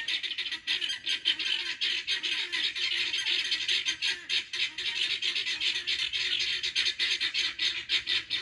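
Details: Pearl guineafowl heard up close, loud and excited: a continuous, strident chorus of harsh, buzzy chatter from several birds.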